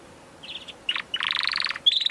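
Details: Canary song in a short burst: a few thin high notes, a brief chattering pause, then a dense rolling trill and a clear whistled note closing the phrase.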